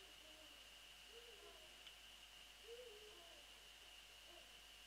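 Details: Eurasian eagle-owl calling near its nest at night, 00:28 on 22 February 2013, while the female is briefly away; two faint arched, slightly rising-then-falling calls about one and a half seconds apart, with a steady high electronic hum throughout.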